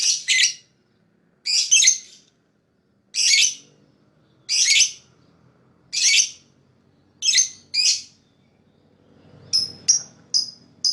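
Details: Lovebird chirps for attracting other birds: a series of loud, harsh, buzzy double notes roughly every one and a half seconds, ending with several quick clean high chirps over low rumbling noise.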